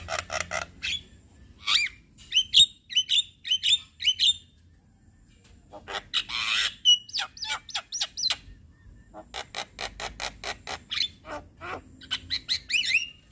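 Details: Young white-eyed Javan myna singing a lure song to encourage young birds to sing: bursts of harsh, buzzy chatter alternating with short whistled notes and squawks, in rapid uneven series with brief pauses, and a faint steady high tone throughout.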